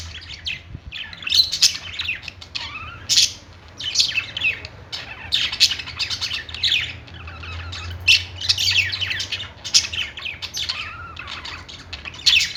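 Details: Pet-store budgerigars on a perch keep up continuous warbling chatter, rapid high chirps and rasping notes with occasional lower whistled slurs, from a crowd of birds, a faint hum beneath.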